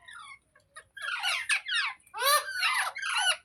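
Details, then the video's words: Talking green parrot (rose-ringed parakeet) indoors giving a string of short, raspy, speech-like syllables, about two per second, with faint squeaks at the start, then louder chattering phrases rising and falling in pitch. "Green Parrot Talking | Funny Parrot Sounds Videos | मिट्ठू की आवाज़ | तोते की आवाज़"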